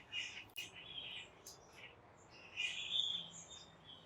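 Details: European starlings call from nearby trees on an October autumn afternoon walk, chattering with scratchy, buzzy notes and thin high whistles in loose irregular bursts, with a louder rush of calls near the end.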